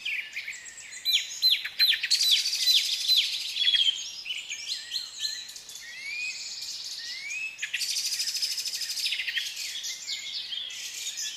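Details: African lovebirds of different colours calling together, a dense high chattering of squeaks, chirps and rapid twittering notes, with louder bursts of overlapping calls.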